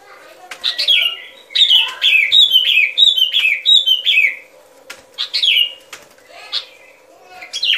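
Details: Sooty-headed bulbul, recorded as a lure for bird trapping, delivering quick repeated downslurred whistles in a lively burst, then scattered single phrases, with a soft constant hum underneath.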